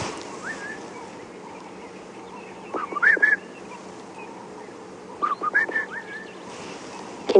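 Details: Southern Boubou on a morning game drive on 23 March 2016 at Djuma Game Reserve, South Africa, calling from thick cover, with a Cape turtle dove calling behind it: two short bursts of clear, liquid whistled notes a couple of seconds apart, over a steady low hum and faint rustling.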